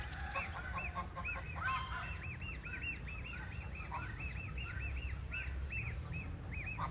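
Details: Farm goslings giving a rapid, almost continuous chain of bright arched peeps, each note rising and falling, several calling at once against a low rumbling background with faint higher chirps.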